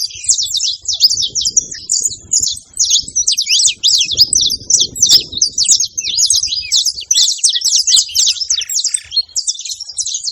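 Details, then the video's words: High, rapid chirping from a saffron finch in nature, continuous and energetic, with crisp slurred notes and a soft low rustling noise in the background around the middle. "cantoria de canário da terra na natureza"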